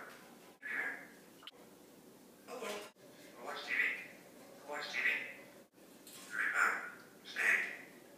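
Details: Congo African grey parrot, about four years old, kept indoors, speaks words and phrases in short separate bursts, each bright and squeaky with a voiced, speech-like tone, about five utterances with brief pauses between.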